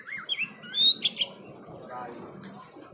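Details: White-rumped shama giving a short burst of clear whistled notes, a looping phrase followed by several sharp, bright high whistles within the first second, then near quiet with faint rustling.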